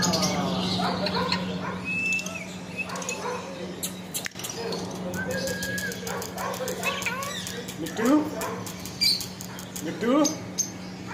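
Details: Nonstop talking parrot producing voice-like babble, short tonal whistles and, near the end, a couple of louder rising squeaky syllables, all over a persistent low mains hum.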